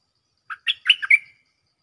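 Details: Lure recording of a cream-vented bulbul calling for a mate: one short phrase of five quick, throaty chirps rising into a slightly drawn-out whistled final note.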